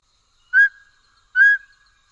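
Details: A Mountain Scops Owl of the Taiwan endemic subspecies Otus spilocephalus hambroecki gives two clear, mid-pitched whistled toots, slightly rising, spaced under a second apart, against a quiet background.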